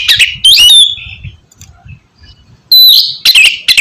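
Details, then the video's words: Oriental magpie-robin (kacer) song used to get reluctant birds singing: a harsh, buzzy phrase, a quiet pause, then loud clear whistles start again. "terapi kusus untuk penggacoran burung kacer yg masih malas bunyi atau macet"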